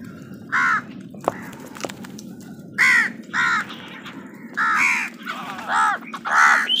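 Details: Crows squabbling with other wild birds over food give harsh, broad caws in uneven bursts, about six loud calls spread across the stretch, each roughly a quarter second long, with faint clicks and low background hum between them.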